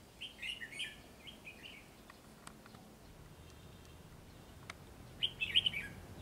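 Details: White-cheeked red-whiskered bulbul, described as very quick and eager to sing, performing from a treetop: a run of short warbled phrases early on, a pause, then a brighter chattering burst near the end. Faint background hiss.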